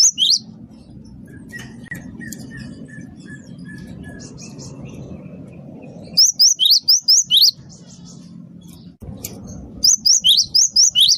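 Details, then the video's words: Great tit in full, active voice, played to lure birds: a brief high chirp, then a row of soft, steady, mid-pitched whistled notes, followed by two bursts of fast, piercing, high chirps repeated about twice a second. "gelatik batu wingko gacor pancing bunyi pikat gacor"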